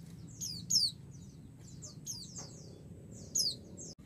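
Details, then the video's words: Female white-eye calling so the male answers: several high, falling whistled notes, the strongest near the start and end, mixed with soft, high chirps over a steady low hum. "pleci betina memanggil jantan"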